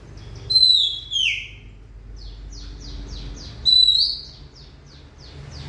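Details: Oriental magpie-robin singing: loud, clear whistled notes sliding downward, given twice, with a run of faint, quick repeated chirps between phrases. Steady low background hum.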